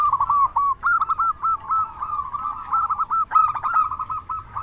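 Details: Lure song of a local zebra dove, meant to stir rivals to answer. A nearly unbroken chain of quick, even coos rolls on, with a stronger stuttered phrase starting partway through.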